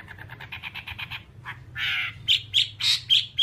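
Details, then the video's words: Whambie song from a nonstop training recording for captive birds. A rapid patter of clicking notes, then a harsh raspy burst, then loud, ringing, high-pitched chirps. A low hum runs in the background. "Masteran Whambie nonstop 1 jam"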